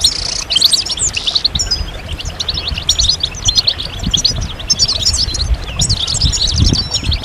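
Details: A chorus of European goldfinches, mating and readiness calls played to stimulate males to sing; rapid high chirps and tinkling trills in dense bursts, one short buzzy stretch at the start, over faint rumble.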